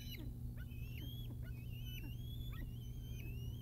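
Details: Wild bald eagle chicks at the Decorah North nest, morning of 9 July 2021, rushing a parent that brought food: repeated thin, high whistled chirps, some rising and some falling, over a steady low hum.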